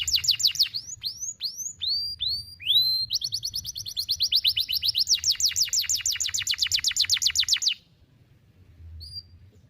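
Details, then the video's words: A canary sings sharp, long one-breath phrases used to train young canaries: slow bright down-slurred whistles building into an extended rapid trill of repeated notes, followed by near silence and a faint single whistle. "KENARI GACOR NEMBAK TAJAM , DURASI PANJANG SATU NAFAS || CUIT CUIT MASTERAN KENARI PAUD AGAR BUNYI"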